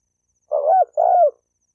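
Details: Spotted dove cooing, used to provoke males and females to fight: a single pair of low, hollow coos, the second a longer downward-sliding note, in a clean quiet recording.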